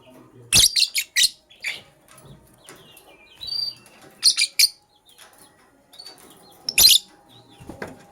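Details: Morning chirps from lovebirds, one Sky Blue Opaline and one Cobalt: clusters of sharp, harsh, high chips repeated in quick pairs and triplets, with a soft wavering whistle between them.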